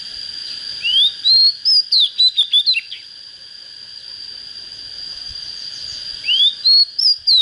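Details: Oriental magpie-robin, a young bird just coming into song, gives two phrases about five seconds apart, each opening with a rising whistle and breaking into rapid clear chirping notes, set against a steady high electronic hum.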